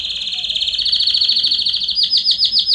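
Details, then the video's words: Belgian canary singing 'estourado' style, meant to warm up another canary: a loud, sustained rapid rolling trill that breaks into evenly spaced, sharper repeated notes, about eight in a second. "Canário Belga Estourado esquente seu canário belga em 30 minutos"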